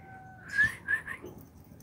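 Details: Oriental magpie-robin (kacer) of the Aceh type: two bright, short whistled notes about a third of a second apart, each sliding slightly, followed by a softer trailing phrase over a faint steady background hum.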